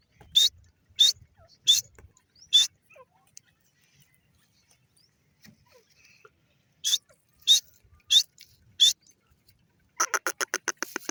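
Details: Female grey francolin: four sharp whistled notes under a second apart, a quiet gap of about four seconds, four more notes, then a fast run of short clicking notes at the end.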